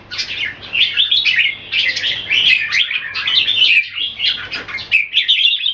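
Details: Singapore-kept caged Red-whiskered bulbul in a display contest: long unbroken stream of warbled, chirpy notes, rapid and varied, lasting the whole stretch.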